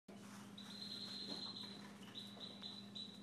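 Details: Siberian goldfinch singing, with long, level, thin whistled tones held high and broken by short pauses, over a steady low electrical hum.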